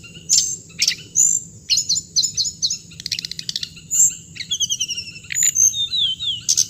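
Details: Hồng hạnh bird song: high chips, a fast buzzy rattle, then trilled runs of repeated notes and descending whistles, over a steady shrill background tone.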